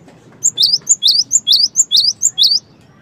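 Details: Cinereous tit (gelatik batu) in energetic song, giving a rapid even series of shrill rising two-part whistles after a short quiet start, then falling silent.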